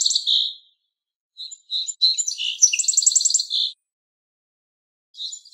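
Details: Song sparrow, a small brown-striped sparrow, giving short clear notes and then a varied song: spaced introductory notes run into a quick rattling trill that ends in a lower slurred note, with another song starting at the end.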